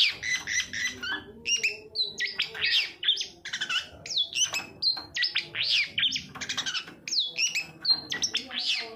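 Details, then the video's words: Long-tailed shrike (cendet) song used as a lure to make silent or lazy shrikes sing: a busy, varied chatter of sharp rising and falling whistles and harsh notes, high-pitched, with short pauses and a faint low steady hum underneath. "suara panncingan cendet agar bunyi dan gacor"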